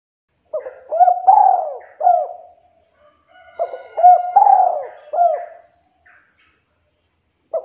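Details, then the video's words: A spotted dove gives the 'kuk 2' call used to summon a rival: two clear three-note coo phrases, mellow and low, separated by a short gap, then the start of another. "Suara Tekukur/Derkuku KUK 2 Memanggil Lawan, Pancingan Burung Tekukur Derkuku"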